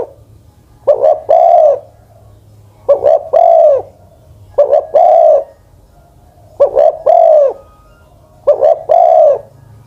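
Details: Spotted dove, a decoy bird over ten years old, repeats its three-part coo about every two seconds: two clipped short notes then a longer hollow coo, five phrases in steady rhythm over a low background hum.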